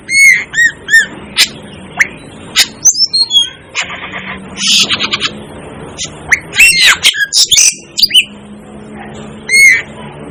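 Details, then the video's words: 'Devil' bird, the Asian glossy starling, calling with ringing, sharply inflected notes and scattered high chips, separated by uneven pauses over a faint steady background hum. "'DEVIL ' BIRD CALL || Asian Glossy Starling Calls Aplonis Panayensis"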